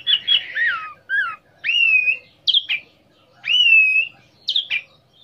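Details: Singing orange-headed thrush, a lure to provoke another orange-headed thrush into song and breeding mood; clear, fluty whistled phrases, some rising then level, others dropping sharply, about one phrase per second.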